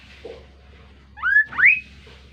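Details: Kaso-kaso bird calling melodiously: a faint low note, then two clear whistled notes, each sliding upward, the second higher and longer, over a steady low hum.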